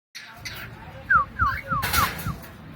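A cockatiel gives a run of five short, falling whistled notes in quick succession, with a brief burst of broadband noise and faint room sounds.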